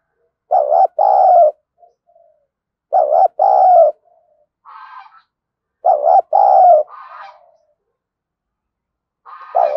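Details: Decoy spotted dove calling to attract wild doves: deep, mellow double-note coos repeated about every three seconds, each followed by a softer, slightly higher, hoarse note.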